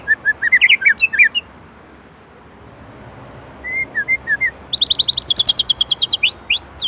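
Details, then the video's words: Song of an Indonesian white-rumped shama (murai batu) with 'isian' filler phrases: jumbled chattering notes, a pause, soft mid-pitched whistled slurs, then a loud rapid rattling trill ending in upward-sweeping whistles. "Murai Gacor isian Gurih"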